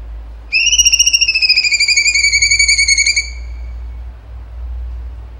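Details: Tembakan song of a vocal cucak cungkok: one sustained whistle, rich and trembling, that drifts gently downward for nearly three seconds before fading into quiet background hiss.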